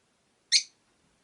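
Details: One brief, piercing chirp from a rosy-faced lovebird, one of five caged birds beside a window, with near silence before and after.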